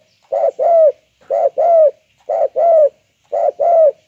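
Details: Spotted dove, banggo voice type, calling persistently: four clear two-part coos, short first note and drawn-out falling second note, spaced about one second apart, no other sounds.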